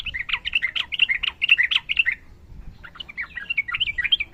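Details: Rapid chattering song of a trucukan, Sooty-headed bulbul: a dense string of quick, jerky notes, a short pause, then a quieter, fainter continuation of similar notes.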